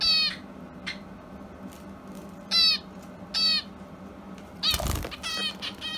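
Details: Hand-fed young pet Java sparrow, indoors on March 30, its ninth day in the home, crying after its companion left it behind: four loud harmonic, nasal calls spaced irregularly, then a burst of fluttering wings and scuffling.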